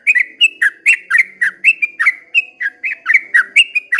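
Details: Sooty-headed bulbul singing a long 'ropel panjang' style song at dawn: short, bright whistled notes, some rising and some falling, given in a quick, slightly uneven string of about eight notes per two seconds.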